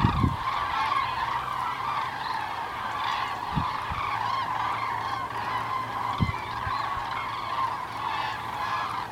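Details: Common cranes migrating south on 9 November 2014 as winter nears; a sustained chorus of overlapping trumpeting calls from a large flock, with a few low thumps and a faint steady hum.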